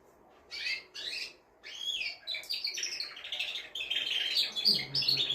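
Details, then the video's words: A male canary sings to rouse a hen for breeding and to tutor chicks. Two short chirp bursts are followed by an unbroken, fast, rolling trill song of ringing notes that grows steadily louder. "تغريد طائر كناري جبار يحفز الذكر ويهيج الأنثي لتزاوج"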